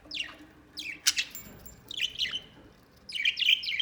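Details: Chirpy phrases from a white pet budgerigar: quick, sharp downward-sweeping tweets in separate bursts, then a denser warbled cluster near the end, over a quiet background.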